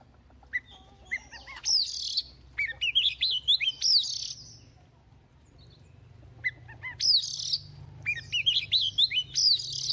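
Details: Morning voice-practice song of a newly caught wild Oriental magpie-robin. Quick runs of rising and falling whistles alternate with scratchy, buzzy bursts in two long song bouts, with a quiet gap in the middle.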